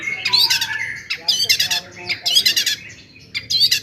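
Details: Lively 'gacor' song of a long-tailed shrike, meant to excite other shrikes. Harsh, squawky chattering comes in three or four dense bursts separated by short pauses.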